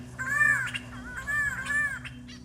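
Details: Grey-crowned babblers in a communal family group in the Top End near Darwin, Australia, in the dry season, moving through branches and chattering contact calls: nasal, arched, slightly rising chatters, three quick bursts, over a soft low musical hum.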